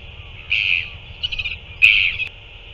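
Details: Northern royal albatross, recorded 9 February 2024 during a feeding, gives three brief, thin, high squealing calls, the middle one stuttered, over a low rumble of wind.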